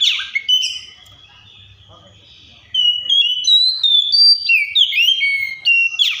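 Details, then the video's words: Oriental magpie-robin: a sharp downward sweep and whistles, a quieter stretch with faint low hum, then from about three seconds a loud sequence of stepping whistled notes ending in another sweeping flourish. "COPSYCHUS SAULARIS SOUNDS LIKE THE WILD MAKES OTHER BIRDS SOUND"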